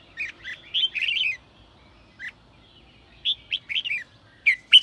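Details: Red-whiskered bulbul performing 'sổ bọng' song to urge newly caught birds to sing; a tumbling warbled phrase, a lone note, then spaced whistled notes ending in sharp, piercing accents.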